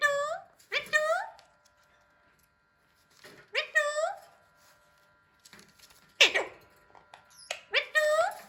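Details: Hand-tame Alexandrine parakeet trying to talk: loud, curving harmonic cries and slurred speech-like phrases in short bursts separated by pauses, indoors, with a steady faint electrical hum.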